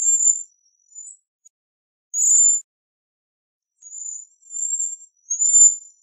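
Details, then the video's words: Sparse, high, thin trills and one louder buzzy burst from a Bohemian waxwing, with faint, wavering notes late in the sequence and silence between them. "Bohemian Waxwing Song! Bohemian Waxwing Voice! Singing - Ampelis Europeo Canto - Bombycilla Garrulus"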